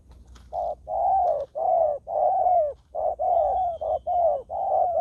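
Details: Spotted dove trapped on the ground yet still fighting, near a decoy used to lure wild doves. Near-continuous run of about nine loud, mellow coos, some long and drawn out, others short, with faint clicks.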